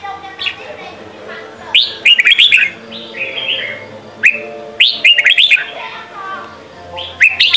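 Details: Red-whiskered bulbul, Sông Kon song style for training young birds: lively clusters of fluty, bouncing whistles, each group followed by a brief pause. Crisp clicks are scattered throughout over a faint low hum.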